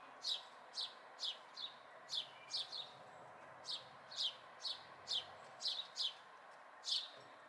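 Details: Chirping of local house sparrow fledglings in May 2020: bright, falling chip notes at roughly one a second, sometimes doubled, with faint steady background noise underneath.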